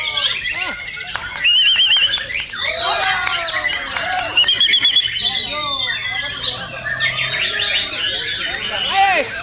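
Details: Contest-training song of a white-rumped shama: a busy stream of quick whistles, buzzy trills and looping slurred notes that rise and fall, the delivery growing louder after the first second and rarely pausing.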